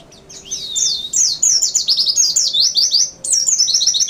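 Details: Pleci, a white-eye, in a continuous, rapid, high-pitched warbling song of quick chirps and twitters sliding up and down, loud and unbroken apart from one short pause near the end.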